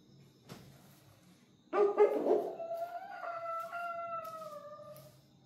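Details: Australorp rooster crowing: a harsh, broken opening burst rises into one long, drawn-out, slightly falling note that holds for about three seconds before fading, over quiet indoor background noise.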